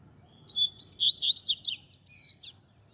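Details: Tui tui zel zel song of a Double-collared seedeater for tutoring young birds: a fast, high run of clear whistles and sharp downslurred notes over about two seconds, ending in a short buzzy note, with faint low background hum.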